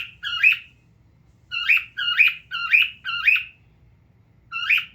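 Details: Male pet cockatiel sitting and looking at itself lets out one screech, goes quiet about a second, gives four in a row, then pauses before one final call.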